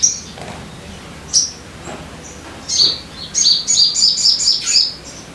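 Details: Crimson sunbird song used to coax caged birds into singing: sparse high chips at first, building into a quick, glittering series of repeated high sharp notes, around four each second, in quiet surroundings.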